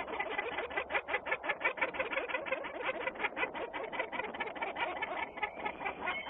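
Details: Peregrine falcons calling at Włocławec, Poland, on 6 June 2010, a Sunday afternoon. A long series of hoarse, clipped notes is repeated about three times per second, rising and falling slightly in loudness, with a dull background murmur.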